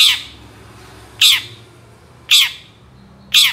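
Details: Long-tailed shrike from a recording used to lure shrikes that rarely sing. Four loud, harsh rasping squawks, each short and descending, spaced roughly one second apart, with quiet low hum between them.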